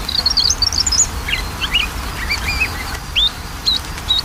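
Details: Lure recording of magpie-robin song for a bird slow to sing, with rapid varied chirps, twittering runs and sharp upslurred whistles tumbling together without pause against constant low rumble.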